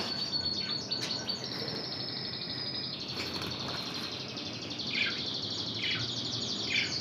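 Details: Intense red canary trained in Spanish Timbrado style delivering a long high rolling trill, then repeated short falling notes about once a second, over a constant hissing background.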